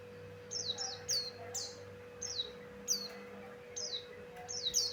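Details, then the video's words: Lure recording of a Javan grey-throated white-eye: brief high downslurred notes in twos and threes, separated by small gaps, over a faint constant mechanical hum. "Suara Burung pleci Buxtoni Cocok Untuk Pancingan"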